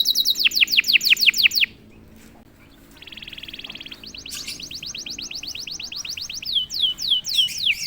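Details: Canary prompted once into 'gacor' song: a burst of falling whistles, a brief pause, a soft buzzy trill, then a long run of quick high descending notes.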